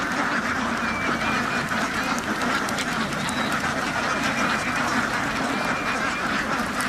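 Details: Numerous ducks housed on a farm call at once, a relentless mass of coarse quacks with a faint high whistle-like note briefly audible.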